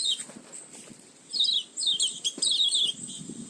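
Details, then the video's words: Oriental white-eye lure call, used for attracting birds: thin, high descending chirps in short bursts after a quiet start, with a steady high hiss throughout. "Suara pikat burung pleci"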